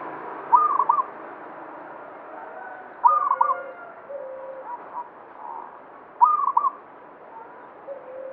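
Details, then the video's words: Zebra dove of the local banyumili type in vigorous song, giving three short, stuttering, bubbly coo phrases about three seconds apart, with soft lower cooing between them. "Perkutut lokal banyumili suara gacor"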